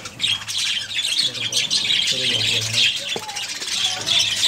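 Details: Budgerigars in a breeding colony filling the air with dense, continuous high chirping and warbling chatter; a man's voice talks underneath throughout.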